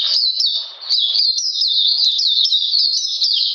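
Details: Captive Oriental magpie-robin in cold rainy weather, 13 June 2020, pouring out a rapid run of bright, shrill notes with sharp upward flicks, nearly continuous with one short dip early on.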